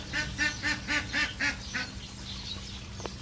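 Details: Egyptian geese giving a burst of about seven loud, nasal honks, evenly spaced at roughly four per second, which then trail off, leaving twittering small birds and a steady low hum in the background.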